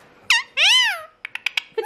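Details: Pet Alexandrine parakeet, newly welcomed into a home, calling indoors: a short harsh squawk, then a long loud arched screech lasting about half a second, followed by several quick clipped chatter notes.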